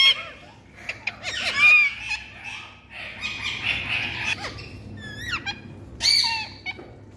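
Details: Ringneck parakeet talking in gravelly, chattering phrases broken by sharp falling squeaks and short high bursts, the phrases separated by brief gaps.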